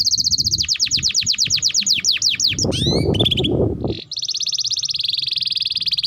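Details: Long song of a canary used as a tutor for young canaries: rapid repeated falling notes, a brief slurred break, then a steady fast buzzing trill, with low background rumble.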